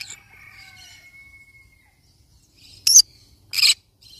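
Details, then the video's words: A thin, steady whistled tone and soft chatter come first, then a yellow-sided conure parrot gives two loud, grating squawks in quick succession near the end. "Yellow sided conure parrot bird sound"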